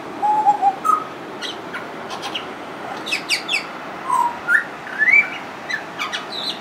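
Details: Pied butcherbird, a friendly bird singing nonstop with mimicry in its song: mellow piped whistles, low and level at first, then a rising run of brighter notes, with short high chirps from other birds scattered between.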